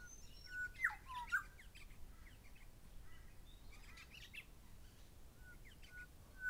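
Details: Grey shrike-thrush pair calling: a few loud, clear whistled notes with sharp upward slurs near the start, one more whistle at the very end, and a busy background of high, scratchy Rainbow Lorikeet chatter.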